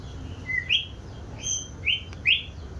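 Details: White-rumped shama giving spaced, rising whistled notes, about four in under three seconds, over faint low background hum.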